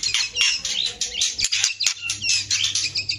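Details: White-rumped shama male and female answering each other: dense, high, rapid chirps and short squeaky phrases run almost without a break, with a low steady hum beneath.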